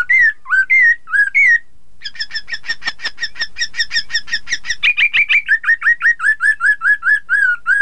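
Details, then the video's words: Chinese hwamei singing, meant to provoke rival birds into answering: loud rising whistles, a brief pause, then a long quick series of repeated chirped notes settling into steady whistled phrases. "Terapi poksay hongkong agar lawan ikutan bunyi || Poksay Mandarin"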